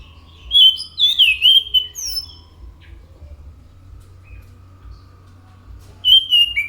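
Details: Anis macan singing a quick whistled phrase with slurred, rising notes, followed by a long silence and a short final burst of clear whistles.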